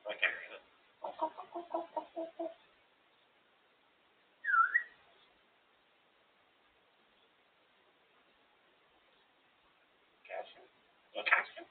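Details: Female African grey parrot, out of its cage and described as really talkative, indoors: short bursts of mumbled speech-like syllables, then a brief rising whistle, a long quiet gap, and two more chattering phrases at the end.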